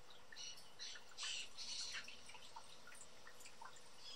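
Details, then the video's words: Several young wild blue jays at backyard bird feeders in Southern Ontario, Canada, screaming and calling. Rough, noisy bursts bunch together in the first two seconds, then fainter scattered calls follow against constant low hiss. "A Bunch Of Blue Jay Young Birds Calling"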